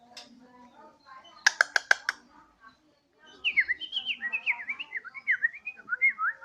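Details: Home-kept Borneo white-rumped shama singing energetically on a terrace, likened to a siren: a quick burst of sharp staccato notes, a short pause, then a run of rising-and-falling whistled phrases, over a faint low background murmur.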